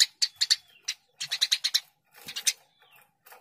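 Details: Eurasian tree sparrow uttering clipped, high chirps in small clusters of three to five, separated by short silences, with a faint whistled glide between groups.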